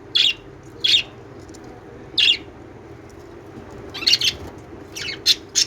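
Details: High, scratchy lovebird chirps given singly at first, roughly every second, then in quicker clusters of two or three toward the end, over a low steady hum.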